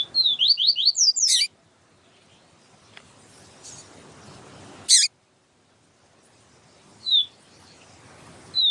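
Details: Yellow-bellied seedeater giving its siu siu song, recorded as a teaching track with a female calling. One fast phrase of sliding whistles is followed by two sharp harsh chips and a few lone thin notes.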